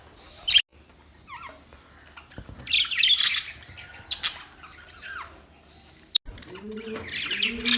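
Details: Fighting budgerigars, October 25, 2023: scattered harsh squawks and rapid scratchy chirps between quieter stretches, with a soft low cooing near the end and a couple of sharp clicks.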